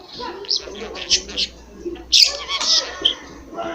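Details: Home-kept talking budgerigar that mimics many words, giving soft muttered speech-like syllables followed by a louder, harsh buzzy burst of chatter.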